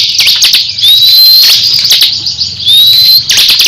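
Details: Kept crescent-chested babbler singing against a competing bird; two long thin rising whistles, about two seconds apart, set among quick buzzy ticking notes.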